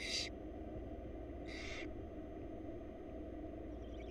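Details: Begging barn owl chicks, wild, in a monitored Florida nest box during feeding by their mother: a short hissing screech, then a longer one about 1.5 seconds later, followed by quiet hum.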